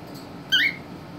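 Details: Caged albino cockatiel, three and a half months old, being introduced to a ten-year-old cockatiel; a single short, bright, upward-sweeping whistled chirp, followed by a person speaking.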